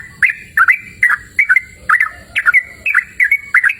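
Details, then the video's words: Yellow-vented bulbul (trucukan) singing outdoors in a cool, open natural setting: short bubbly, chirpy phrases of two or three notes, repeated about every 0.4 seconds, with a faint steady high hiss behind. "Suara Merdu Burung Trucukan Gacor!"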